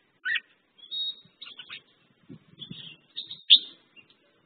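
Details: Red-whiskered bulbul, known locally as merbah jambul, giving a few scattered whistled notes and a thin drawn-out whistle between gaps of silence, with soft low thumps in the background.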